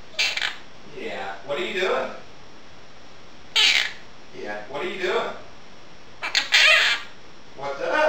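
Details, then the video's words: A pet monk (quaker) parakeet talking indoors while dishes are washed chatters speech-like phrases such as "what are you doing" and "give me a kiss", slightly nasal and squeaky, broken by a few harsh, raspy squawks. "Quaker parrot talking"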